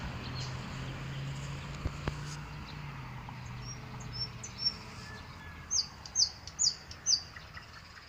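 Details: A nightingale singing in a garden in spring as clematis blooms gives a burst of four sharp, high, whistled notes, about two per second, after a few faint chips over a low engine-like hum.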